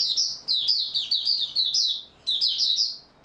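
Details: Oriental white-eye in steady open song, 28 February 2022: a fast run of high, sweet, warbling notes, briefly broken, then resumed with another twittering phrase.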